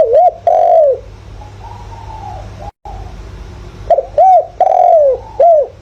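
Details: Decoy spotted dove in the 'thổ' voice used to excite wild doves; loud rounded coos, a drawn-out falling note, then softer murmured coos, the pattern repeating after a brief gap, with a constant low background hum.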